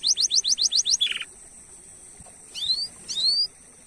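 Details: Canary lure song with unique 'cuit cuit' notes: a quick run of six bright repeated chips, a short rattling phrase, silence, then two sharp rising whistled calls.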